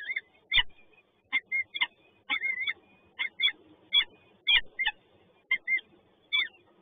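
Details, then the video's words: Peregrine falcon chicks in Toruń, Poland, at feeding time: a steady run of shrill, wavering whining screeches, repeated roughly every half second, with faint low background rumble. "Sokół wędrowny PGE Toruń - Karmimy czy nie"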